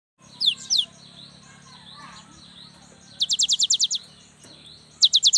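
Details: Young cinereous tit in full song, used to prompt lazy young birds to start singing: short fast bursts of about eight sharp, high, descending notes, with a hum and faint chirps between phrases.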